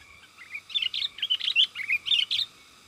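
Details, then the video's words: Lure call of a lively sooty-headed bulbul, meant to draw wild bulbuls in the forest: a rapid burst of chattering, bubbly warbled notes, about a dozen syllables in two and a half seconds, over a faint steady high hiss. "SUARA PIKAT BURUNG KUTILANG GACOR 100%AMPUH UNTUK SUARA PANGGILAN DAN MASTERAN"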